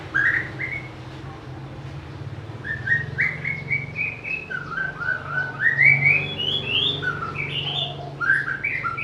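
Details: White-rumped shama, a melodious, varied singer that can mimic other birds, delivering a long flowing song of rich whistled phrases, slurred up and down and changing constantly, with a faint low hum beneath.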